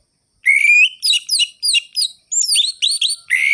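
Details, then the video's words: Orange-headed thrush song in the ngerol-ngeplong style, used to rouse sluggish thrushes into singing: a long rising whistle, then a run of short sharp downslurred notes and another long bright whistle at the end, on a quiet background. "ANIS MERAH GACOR ABIS untuk pancingan bunyi burung anis merah yang loyo"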